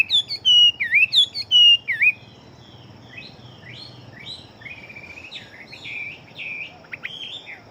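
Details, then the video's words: Chinese hwamei fighting bird, big-bodied and said to sing very quickly: two seconds of loud looping whistled phrases, then softer, more distant-sounding rapid warbled notes continuing in the background. "Họa Mi Chiến Siêu Mau Mỏ Bộ To Hót Tốt"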